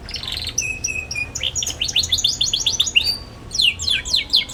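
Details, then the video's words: Young canary in chattering song, used to teach young canaries: a flat steady whistle, then a long run of rapid descending chirps, a pause and a final burst of sweeping notes. "KENARI PAUD NGERIWIK GACOR CUIT CUIT"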